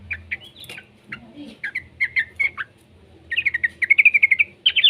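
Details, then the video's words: Juvenile yellow-vented bulbul singing, used as a lure to prompt other bulbuls to sing: scattered bright chirps, then a rapid run of high, bubbly notes repeated about four per second, over a low background hum. "suara burung trucukan muda"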